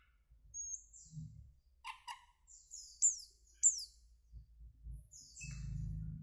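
Asian glossy starling giving thin, high whistles and sharp downslurred notes, with a few lower chattering notes; a low rumble of wind or handling noise underneath.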